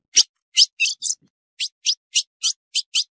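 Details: Female ultramarine grosbeak giving calls said to excite males: about ten short, sharp, high chips, unevenly spaced at roughly three per second, with a brief gap after the fourth note; otherwise quiet background.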